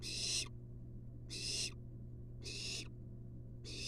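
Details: Wild barn owl chick begging in a monitored nest box as the mother hands over a long-tailed rat: repeated harsh hissing screeches, four in under four seconds, with continuous low hum.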